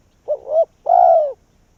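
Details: A single cooing phrase from a spotted dove decoy drawing in wild doves: a short wavering double hoot, a brief pause, then a longer full-toned croo sliding downward.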